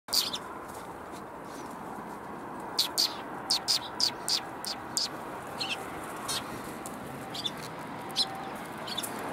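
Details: Sparrows coming to be fed at a Tenmangu shrine on 1 January 2021: short, sharp chirps bunched between the third and fifth seconds, then a few scattered later, over steady low outdoor background noise.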